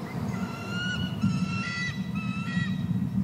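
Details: Eagle at the nest feeding eaglets as a second adult arrives with more fish and both call: series of thin, high, slightly wavering whistled notes, several overlapping, over constant low background hum.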